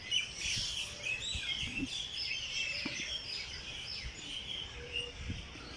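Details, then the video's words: Morning chorus of several birds in Jilani Park, Lahore: constant high twittering and overlapping chirps, with a light background hiss and a few faint low thumps. "Birds sings in Jilani park Lahore early morning"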